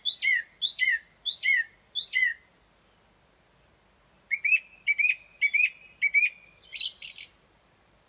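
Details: A song thrush singing outside a bedroom window in the early morning, after 4.30 am: bright whistled phrases, one repeated four times, then another repeated about five times, then a varied flourish.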